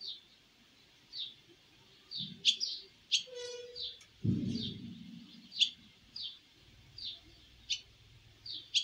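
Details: Young swallows leaving the nest for the first time give bright, high twittering chirps spaced irregularly, about nineteen a minute, with a brief tonal hum and a rustling noise partway through.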